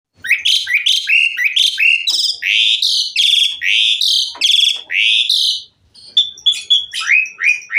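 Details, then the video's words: Asian pied myna in full song, a rich varied repertoire played to get other mynas singing: loud, bright whistled phrases rising and falling, some harsh and buzzy, delivered in a rapid run, a brief pause, then quick sharp notes resume. "Kicau Jalak Suren Gacor FULL ISIAN MEWAH Jadikan Jalak Suren Lain Ikut Gacor"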